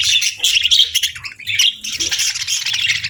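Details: A flock of budgies on a peaceful morning, packed with high, squeaky warbles and fast chirps, overlapping densely and continuously with hardly a pause.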